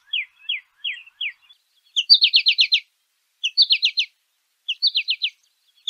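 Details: A singing American goldfinch outdoors gives a few spaced, descending chip notes, then short fast clusters of high, sharp twitters repeated about every second and a half, with silence between.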